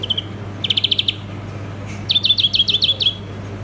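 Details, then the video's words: Singing European greenfinch giving short rapid trills, first a run of clipped notes, then a faster series of bouncing up-and-down twitters, with brief pauses between bursts over a constant low hum. "European Green Finch Singing Beautiful"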